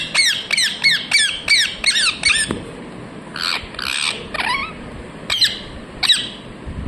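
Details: A quick burst of seven harsh parrot chirps in a row, then buzzy, rasping notes and two more sharp chirps after a pause.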